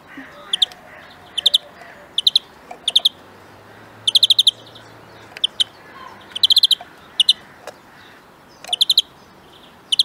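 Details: Bright greenfinch trills of fast repeated chiming notes come in frequent short bursts, sometimes paired, interspersed with single sharp chips and a faint low hum.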